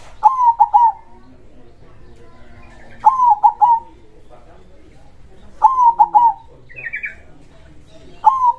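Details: Loud-voiced local zebra dove giving krosing-style song. Each phrase is a quick purring trill followed by two or three soft bouncing coos, repeated about every two and a half to three seconds, with a faint chirp between phrases.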